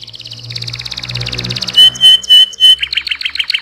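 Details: Canary singing vigorously, a song meant for tutoring other birds: a fast, even rattling trill runs for nearly two seconds, then loud clear whistled notes with brief pauses between them, ending in quick chirpy repeated phrases.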